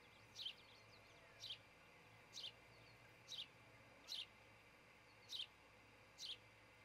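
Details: Osprey pair at a nest cam in Charlo, Montana, building a new nest near a great horned owl family, early morning on June 26, 2018; short high chirps repeat about once a second over a steady low hum.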